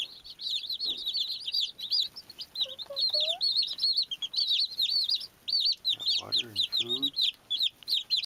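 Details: High, continuous peeping from many baby chicks, with a lower brief whistled sound around three seconds and a raspy lower call near the sixth second.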